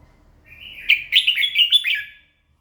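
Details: Red-whiskered bulbul singing in the morning: one quick, bright phrase of about five or six chopped, warbled notes that rise and fall, clear and loud against a quiet background.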